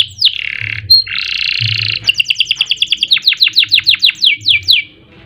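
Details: Singing canary in ngerek and ngerol style, meant as a tutor and lure recording: two harsh, buzzy bursts, then a steady series of clear, downslurred whistled notes, about four per second, fading at the end.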